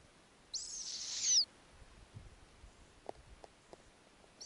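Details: Snowy owl chick at an Arctic nest on a warm summer night, one of eight owlets of different ages, begs as the female returns with a lemming: one long, harsh, hissing screech swelling then cutting off, soft clicks, another screech.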